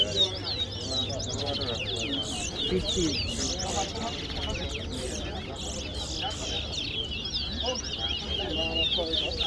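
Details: Chestnut-bellied seed finch, known locally as towa towa, in a head-to-head singing contest at Guyana National Stadium; sustained high, fast chattering warble runs on without pause while spectators talk and a low engine-like hum sits beneath.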